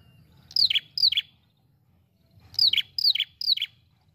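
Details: Calling ashy prinia for luring, two quick falling chirps followed after a pause by a run of three, each note sliding sharply downward over faint low noise.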